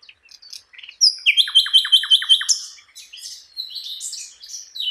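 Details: A flycatcher (sikatan londo), kept as a song-tutor bird, sings a high, bright phrase: a thin whistle, then about seven quick down-slurred chirps in even rhythm, then a jumble of varied twitters.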